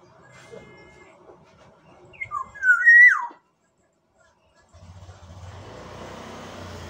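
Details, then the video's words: Black-naped oriole of Sumbawa giving one mellow whistled phrase with short opening notes and a loud slurred descending end, followed by a steady low engine-like hum and hiss. "Kepodang emas Sumbawa"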